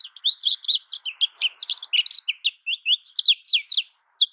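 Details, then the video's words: American goldfinch singing a fast, continuous run of high twittering and warbled notes, many short sweeping chirps packed closely together with a brief pause near the end, clean background. "American goldfinch Bird Sound, Bird Song, Bird Call Bird Calling Chirps, Birds Chirping Melody"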